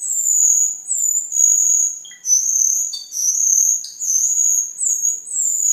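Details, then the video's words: High, sustained whistled song from a cucak keling kept as a tutor for other cage birds and as a lure: long shrill notes that waver and slide, with brief breaks and a few lower chips. "Suara Burung Cucak Keling Gacor untuk Masteran dan Pikatan"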